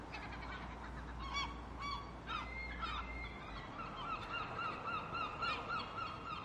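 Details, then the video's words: Gulls calling: a few harsh squawks, then a series of short, repeated yelping notes with a strained, nasal quality, set against steady low rumbling background noise. "Seagull Sounds"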